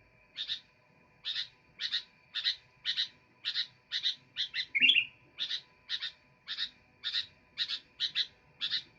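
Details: Sooty-headed bulbul repeating short clear chirps at a steady pace, with one buzzy slurred note midway. A faint background hum persists throughout.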